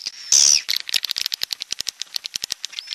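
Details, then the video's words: Edible-nest swiftlet, sound in a style called jaguar: a rapid train of sharp dry clicks, about eight per second, with a loud harsh buzzy burst near the start. "SUARA WALET jaguar BURUNG WALET"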